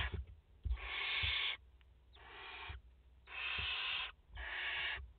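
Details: Barn owls at the nest in France, mother with four chicks, 30 August 2021; four breathy, drawn-out hisses of about half to one second each, evenly spaced, with soft knocks between.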